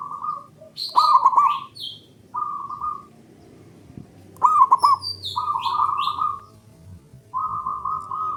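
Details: Male zebra dove singing to stimulate mute birds: a sequence of cooing phrases, two with quick rolling trills, spaced roughly a second apart. High falling whistles from other birds are mixed in.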